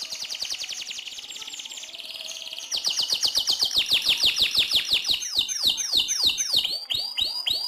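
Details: Canary singing a long continuous roll, used as training song for white-rumped shamas: a fast trill of high notes that shifts into rapid descending sweeps repeated about three times a second.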